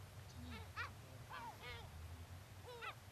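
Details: Gulls at the beach in Brean, Somerset, England, on an April spring day in 2013; a run of short, sharp, downward-bending yelping calls, several in quick succession, over a low steady rumble of wind or surf.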